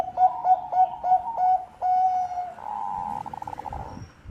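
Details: Bangkok-type zebra dove singing a song used as a lure: a quick run of short, low, mellow coos, then a long steady note, followed by a rapid trilling rattle.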